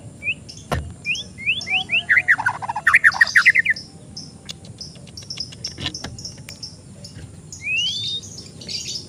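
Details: Young untrained oriental magpie-robin at a bird stall, lure song: a string of rising whistles, dense fast chirped phrases, then sparse thin notes and one long rising whistle, over faint background hum.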